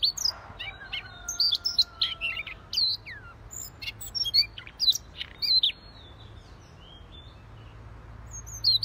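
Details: Siberian rubythroat in full song: bursts of varied, squeaky, high chirps and slurred whistles in the first half and again near six seconds, with a faint, long, steady low tone early on and quiet stretches in between.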